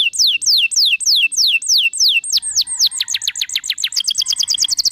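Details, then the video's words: Canary song to prompt other canaries: a series of slow descending whistled slurs repeated about every third of a second, quickening into faster chirps and a high rapid trill. "PANCINGAN SUARA BURUNG KENARI GACOR BONGKAR ISIAN"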